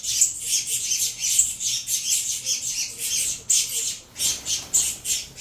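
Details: Nestling saffron finches, captive-bred from a Venezuela CMA and CVK 103 pairing, squawk noisily during feeding with rapid, buzzy, high hissing bursts, briefly pausing near the end.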